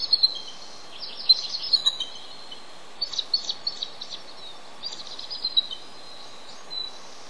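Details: Incubating male bald eagle at a nest in a reintroduction project calls out while waiting for his mate to take over; scattered high squeaky chirps in short clusters, with pauses and a constant low hiss.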